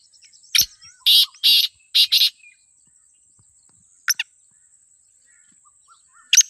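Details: Black francolin calling: a harsh rasping note, then a rapid group of three grating bursts and two more close together, followed after a pause by a brief clipped double note and one final rasp.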